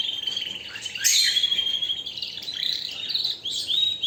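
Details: Canary in loud, continuous song: rich buzzy warbling and rapid trills high in pitch, with a few sharp accented notes and short downward slurs woven through a nearly unbroken flow.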